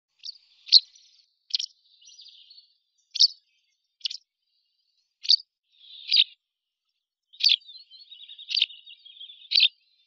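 White wagtail giving about ten sharp, high chirps, spaced roughly a second apart, with soft twittering between some notes; no other sounds.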